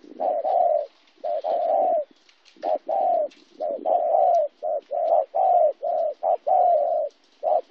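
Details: Spotted dove from Kon Tum, Vietnam, recorded 26 January 2016, a local wild-caught bird, cooing steadily: repeated soft low notes of varied length, some long and slightly descending, forming a rhythmic run of about a dozen syllables.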